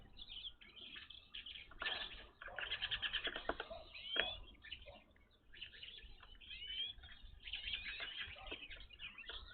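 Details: Evening grosbeaks visiting a bird feeder; a flock gives repeated short upslurred whistles and chirps in bursts, several birds calling together, with clattering and flapping sounds between calls.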